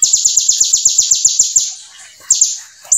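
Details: Brown-throated sunbird singing gacor ciblek-filled material: a fast train of about twelve shrill high chips, a pause, then a couple more notes and the start of a new burst.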